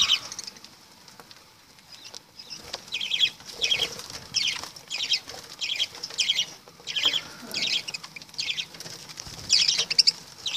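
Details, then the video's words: Lovebird calls: a run of rasping, high-pitched screeches repeated roughly every half to one second, steady and insistent, over soft background rustling. "Love birds"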